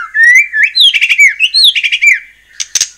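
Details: Singing white-rumped shama, played to stir other shamas into answering. Rich fluty slurs rise and fall, mixed with rattling harsh notes, then a couple of hoarse high bursts at the end.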